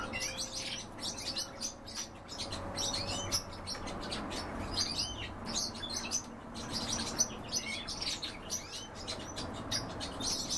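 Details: Continuous chatter of European bee-eaters at feeding time: many brief rolling notes in quick succession, no pause over ten seconds, with a faint low hum at the start.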